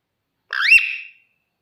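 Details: A green rose-ringed parakeet playing on its cage gives a single harsh, rising-then-falling screech, about two-thirds of a second long, strong and high-pitched, with nothing else heard.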